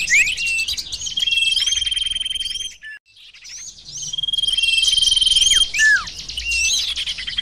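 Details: Lure recording of sirtu birds: dense, rapid high chirps and downward-sliding whistles repeated about four times a second, with a steady high insect-like tone underneath and a brief pause near the middle.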